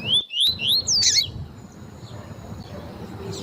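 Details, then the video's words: Female double-collared seedeater, tui-tui type, calling to excite males: three rapid upslurred whistles in under a second, then a sharp high chirp, followed by quiet low hiss. "COLEIRO TUÍ-TUÍ FIBRA COM PIADO DE FÊMEA PARA ESQUENTAR COLEIRO TUI TUI"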